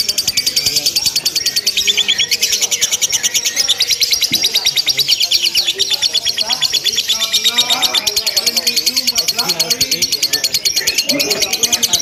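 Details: Rapid unbroken ngekek chatter from a lovebird in contest simulation, a shrill, densely pulsed trill sustained the whole time, accompanied by low murmuring background sounds.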